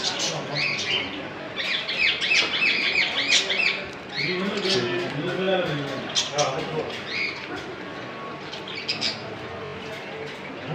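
Australian parrots keep up a busy, high chirping and warbling chatter with quick squeaky notes, while a person talks in the middle of the recording.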